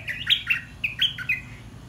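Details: Caged red-whiskered bulbul singing a mixed song in the dok taeng and ta daeng styles: quick, bright chirped notes in short, jumpy phrases, about five notes within two seconds.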